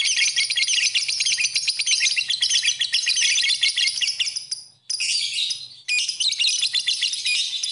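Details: Lovebird singing for use as a training master recording, a rapid, piercing chatter of high trills that runs continuously, briefly breaking off twice near the end before resuming just as intensely.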